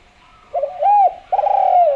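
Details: Spotted dove from Java, a keen caller kept for luring other doves, delivers one clear coo rising to a held note, then a rapidly pulsed, buzzy coo that drifts gently lower.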